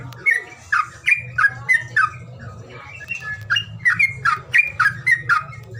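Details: Bird calls played to coax birds that are slow to sing: bright chirps near two kilotones of pitch, sharp and slurred, repeated about three to four per second in uneven bursts over a steady low electrical hum.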